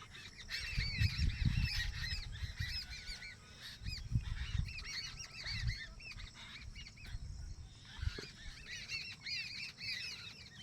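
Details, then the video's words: Village birds calling together: many overlapping, high arched chirps and whistles repeated rapidly in a busy chorus, over low rumbling background noise with occasional thumps. "village bird real sound"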